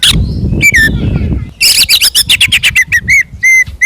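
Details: Oriental magpie-robin in loud fighting song used as a lure to rile rival birds: harsh, scratchy rapid notes followed by a quick run of sharp chattering phrases and clear upslurred whistles, with low-pitched background noise throughout.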